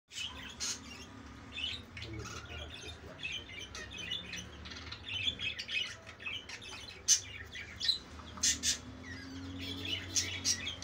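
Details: Breeding budgerigars, shown mating and laying eggs, keep up a busy stream of high, scratchy chirps and warbles, with sharper squeaks breaking through now and then over a faint low hum.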